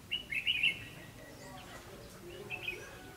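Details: Red-whiskered bulbul recorded on 9 December 2015 while being trapped with a decoy bird: a quick run of clear, sharp whistled notes, then a pause and a shorter second burst, over low steady background hiss.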